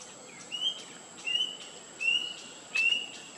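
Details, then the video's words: Rusty-breasted Cuckoo: four plaintive whistles, each slightly rising, about every three-quarters of a second, over a steady high insect hum. "Rusty-breasted Cuckoo"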